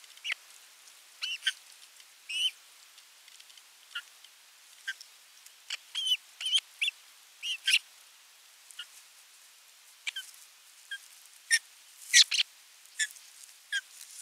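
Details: Osprey at nest 3 of a Finnish live camera on 27 June 2022, bringing a fish and watching the feeding: a long run of high whistled chirps and sharp clicky notes, irregular but frequent, with faint hiss behind.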